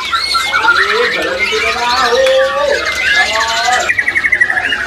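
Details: A black-throated canary at a busy kiosk in a bird market on a crowded Sunday sings a fast, busy run of high twitters, trills and short warbled notes, with men talking and other birds chirping behind.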